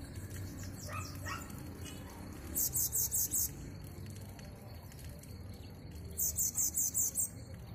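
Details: Bananaquit singing an unusual, different song: two bursts of very high, thin, sibilant notes, about six rapid repeated buzzy notes each, separated by a pause of a few seconds, with a few faint lower sweeping notes and background murmur earlier.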